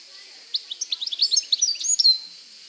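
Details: European goldfinch singing in nature: a quick twittering run of short, high chirps and trilled notes lasting under two seconds, closing on a brighter slurred whistle, over faint steady background hiss.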